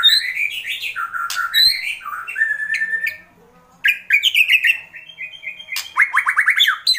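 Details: Agitated white-rumped shama in kretekan mode: fast jumbled whistles and trills, a brief pause, then a renewed burst ending in a quick series of rising strokes.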